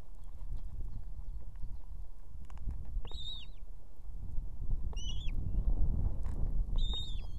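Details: Calling female Osprey on an Estonian nest with two young, urging the male to bring food at evening. Three loud, arched whistled calls sound about two seconds apart against a rough, gusty wind background.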